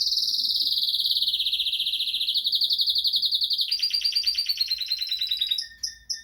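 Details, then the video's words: Arlequim Português canary singing energetically: a long, fast trilled roll slowly falling in pitch, then a change to lower, buzzier rapid notes and brief closing phrases. "Canário Arlequim Português C/ Energia 😍 Canary Arlequim Português with lots of Energy"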